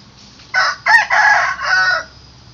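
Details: Morning crow of a rooster, one loud harsh cock-a-doodle-doo in four linked syllables lasting about a second and a half, the last drawn out and fading, with low hum behind.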